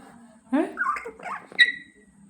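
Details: A pet African grey parrot, during a talking session with its owner chatting in Malayalam, gives a brief burst of voice-like, wavering syllables, then a sharp, clear whistle, over a faint steady hum.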